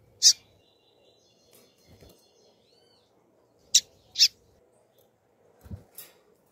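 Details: A female Double-collared Seedeater (Sporophila caerulescens) calling, giving three sharp, high chip calls spaced a few seconds apart, over a low steady hum and a few soft knocks.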